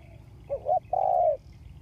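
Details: Spotted dove decoy used to lure wild birds, August 2021: a single phrase of two quick soft coos leading into one long, smooth, slightly descending coo.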